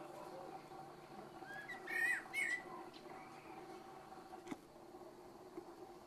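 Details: Eurasian blackbird singing in the evening, two quick fluty whistled phrases ending in a thin squeaky twitter, followed by quieter distant chirps, with mosquito hum throughout.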